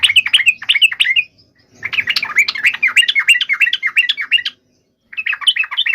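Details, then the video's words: Yellow-vented bulbul singing an intense fighting song to goad other bulbuls into answering: repeated bursts of fast, bubbling chatter, the longest lasting almost three seconds, separated by brief silent gaps. "trucukan gacor TARUNG FULL EMOSI TAJAM ini ampuh MENJADIKAN agar burung trucuk gacor NYAUT SEKETIKA"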